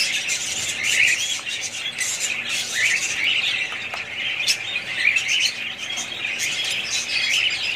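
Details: Pet budgerigars make a constant, busy twittering, mixing high squeaky chirps with harsher short squawks in no clear rhythm.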